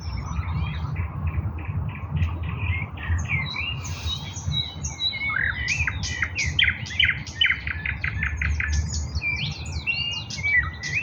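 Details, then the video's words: Eastern nightingale song from 16 May 2024: a long varied series of repeated clipped notes and sharp chirps, heard against strong low-pitched background noise. "bulbul ovi vostochniy Nightingale singing Russian соловей восточный"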